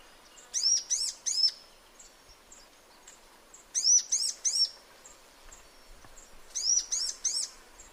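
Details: Sunbird heard in its natural habitat: three bursts of three sharp, high arched chirps, spaced roughly three seconds apart, with soft faint ticks in the gaps.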